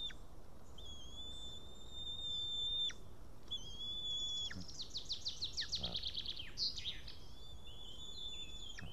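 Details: White-tailed eagle male returning to the nest after ringing, Estonia, 8 June 2018 just before 1 pm, carrying a fish that is lost; drawn-out flat whistles, then a fast string of yelping notes, then whistles again.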